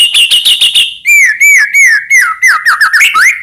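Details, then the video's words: White-rumped shama singing to provoke rival shamas into song: a rapid buzzy rattle, then a series of loud arched whistles repeated about three per second, ending in a rising note. "murai batu gacor AMPUH buat PANCINGAN murai batu agar bunyi"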